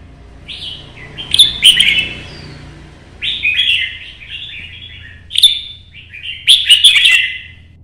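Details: Solo red-whiskered bulbul in competition 'chạy cầu' singing, meant to provoke other birds, recorded in early morning sun: four bursts of rich, bubbling warbled phrases separated by short pauses, some with sharp accented notes.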